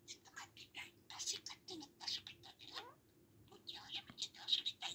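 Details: Pet budgerigar talking: rapid, chattering strings of scratchy, speech-like syllables with brief whistled sweeps, delivered in bursts with short pauses, indoors.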